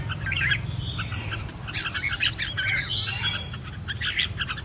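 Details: Caged red-whiskered bulbul giving competitive fighting song: clusters of short bright chirps and warbled notes, several overlapping phrases with brief pauses, over a steady low hum.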